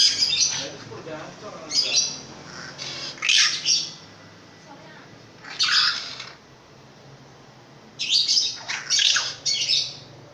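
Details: Long-tailed shrike with a notably loud voice singing in spaced harsh phrases: scratchy, squawking bursts every couple of seconds, some dipping lower in pitch, with quiet gaps between.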